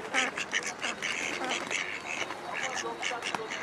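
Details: Female park-type Mallard in urban Amsterdam, Holland, on 03-04-2011, giving a rapid run of short, nasal, harmonic quacks in close succession, with some overlapping low background chatter.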